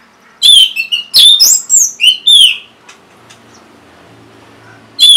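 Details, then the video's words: Varied orange-headed thrush phrase used to encourage reluctant caged birds: strong whistled notes, rising slurs and bright chirps in quick succession, then a short silence before another note begins. "Untuk Pancingan Burung ANIS MERAH Bahan Macet Ataupun Malas Bunyi"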